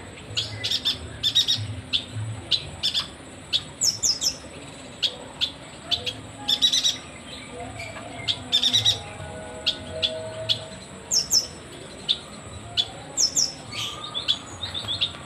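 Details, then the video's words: A yuhina in lively full song, used as a training recording for other birds, gives rapid high chirps and short twittering phrases in quick bursts over a faint low hum; Yuhina. "Burung yuhina gacor"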